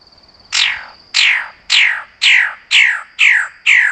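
A magnificent bird-of-paradise gives seven harsh, downslurred notes, about two each second, over a thin steady high whine.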